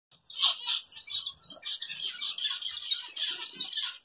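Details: Zebra finches give a continuous chatter of short, nasal, high-pitched calls while feeding on home-made egg food.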